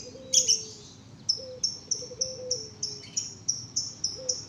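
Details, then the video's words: Canary chick, 1.5 months old, just learning to sing: short high chirps repeated about every third of a second after a louder opening burst, with a faint low drawn-out whistle sliding downward underneath. "Anakan burung kenari baru belajar bunyi umur 1.5 bulan"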